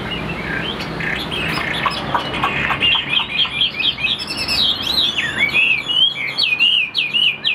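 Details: Chinese hwamei kept as a cage bird in Vietnam: a rapid song that starts with a jumble of notes, then runs into bright, repeated whistled slurs that climb and fall, several per second.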